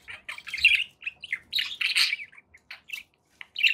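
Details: Domestic budgerigars giving clustered, buzzy warbled chirps, a few loud bursts separated by short gaps and isolated single tweets.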